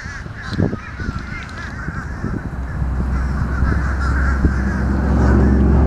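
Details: Many fish crows caw noisily at once, short nasal notes tumbling over each other. A deep, steady drone, like an engine, swells in the second half.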